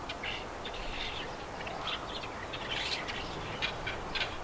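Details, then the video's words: Birds singing, recorded in stereo: scattered bright chirps and short twittering phrases, some overlapping, over a steady hiss of background noise. "Listen to Birds Sing!"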